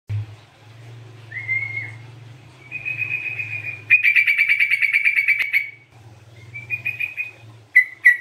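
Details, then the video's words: Sooty-headed bulbul in chatty gacor singing, used as a lure and for therapy: clear whistled notes near one pitch, then a fast run of buzzy pulsed notes, then short whistles, over a steady low hum. "TRUCUKAN GACOR COCOK BUAT PANCINGAN"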